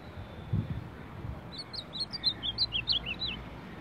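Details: Ultramarine grosbeak, a champion in the baderna song style, delivering a rapid run of clear whistled notes, each slurring up or down and bouncing between high and slightly lower pitches, after a short quiet start with faint low rustling.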